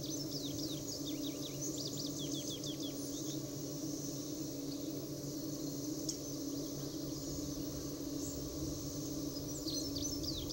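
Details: Indigo Bunting filmed in North America, singing in bursts of high, sharp, rapid descending notes in the first few seconds and again near the end, over a steady low hum and faint background noise.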